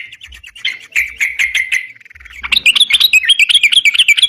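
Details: Sooty-headed bulbul singing lively ropalan song, used as a lure for catching birds: steady, quick-paced chirps give way to a fast, high, twisting chatter of looping notes.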